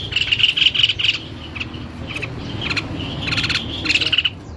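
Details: White-necked babbler in a songbird tutor recording, singing bright high chattering phrases in bursts, pausing between them, then returning with dense rapid notes near the end.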